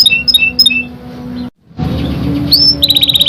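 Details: Young canary song with clipped high chirps, a brief silent gap, a rising whistle and a rapid repeated trill at the end, over a low steady hum.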